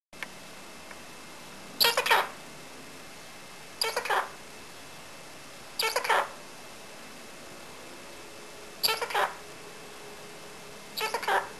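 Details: Pet parrot indoors calling out for a person and saying "Come on!", giving five short, harsh, voice-like bursts about every two seconds over quiet room noise.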